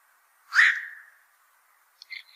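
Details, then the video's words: One loud, hoarse 'quok' from a black-crowned night heron, a bird known to raid fishponds, trailing off over half a second, followed by a few faint, short higher chirps. "BLACK CROWNED NIGHT HERON CALL SOUND"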